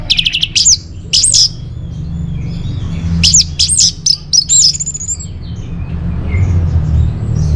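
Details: Orange-headed thrush singing a lure and master song meant for caged birds: two separated bursts of bright, looping whistles mixed with sharp clicks, then quiet with a constant low rumble behind.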